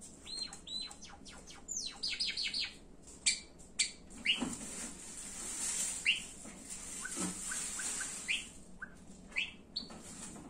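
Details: Captive Java sparrow vocalising indoors, mixing clicky rattles and high ringing notes with scattered soft chips, a steady hiss of background noise, and a few louder separate chirps spaced a second or so apart.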